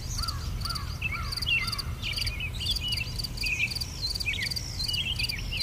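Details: Birds singing in an English garden: a run of three soft, lower whistled slurs, then lively high twittering notes, over an insistent, evenly repeated high chirping pulse.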